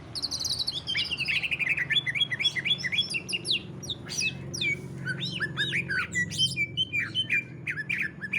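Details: Greater green leafbird, ngentrok song style used to encourage other leafbirds to sing: fast descending trill of chattering notes, then varied sharp chirps and short whistles, with low hum throughout.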